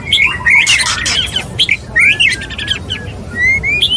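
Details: White-rumped shama male wooing a female: short bright whistled flourishes mixed with scratchy noisy bursts, ending in clean rising whistles.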